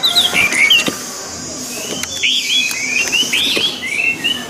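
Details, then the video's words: Orange-headed thrush singing in a recording for training kept birds. Brief, sharp, descending whistles give way to a lively run of looping, warbled notes, with faint clicks in the background. "SUARA ANIS MERAH"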